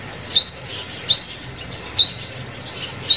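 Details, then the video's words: Sunbird calls played as a trapping lure: four sharp, high, upswept chirps at steady intervals of about 0.8 seconds, with a quiet background. "Tiếng Chim Hút Mật Mồi Kích Bổi"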